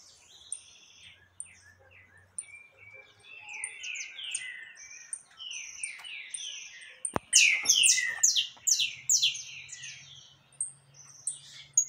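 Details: Saffron finch in full song near loose wild birds on 20 October 2021; quick runs of short falling chirps that grow into a dense, loud burst of buzzy notes midway, with a single sharp click.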